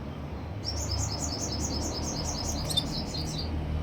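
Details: Canary song: a fast run of bright, high, buzzy notes repeated about six or seven times a second, held for around three seconds over a steady low rumble of background noise.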